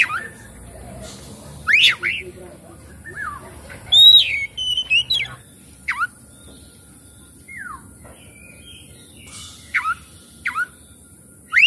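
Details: Oriental magpie-robin song, used as a lure to prompt other magpie-robins to sing and fan their tails: clear whistles and quick slurred notes rising and falling in short bursts with pauses, over a thin steady high hiss.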